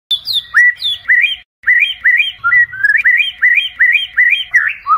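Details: White-rumped shama singing at night as a lure to train a competition bird: loud whistled phrases, each a sharp upward-curling note repeated in quick succession with a brief pause, some higher tinkling notes at the start.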